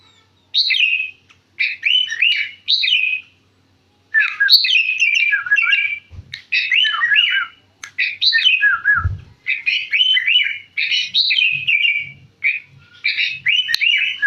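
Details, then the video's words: Caged sooty-headed bulbul from central Jakarta, Indonesia, in full gacor song with its natural voice: short bursts of clear, warbling whistled phrases repeated roughly every second, with brief silences between them and faint low knocks in the background. "KutiLang Gacor BukPaR suara asli"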